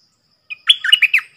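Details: Single short phrase from a decoy stripe-throated bulbul whose song trains young birds and lures wild ones: a quick sequence of rich, bubbly, warbled notes.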